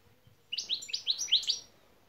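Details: European goldfinch şak şak phrase from a lesson recording for training birds: six or seven sharp, high chirps strung quickly together over about a second, with faint low hum beneath.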